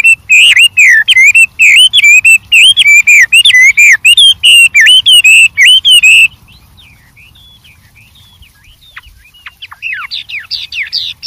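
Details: White-rumped shama singing in the wild, repeating a loud, rhythmic phrase of slurred whistles many times for six seconds, then quieter scattered high notes afterward.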